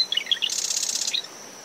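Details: Marsh wren near its nest in dune vegetation at SMNWR, early morning, brisk post-storm winds, recorded ten meters from the high tide line. Quick descending chip notes run into a rapid, harsh buzzing trill that stops abruptly. A steady high-pitched cricket drone sits under wind and surf.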